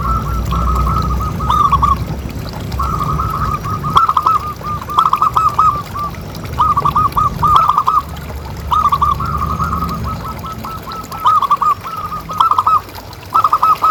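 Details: Repeated rolling coo series from a local zebra dove, used as a tutor sound to get other doves calling. Strings of quick soft notes recur every few seconds over a low rumbling background.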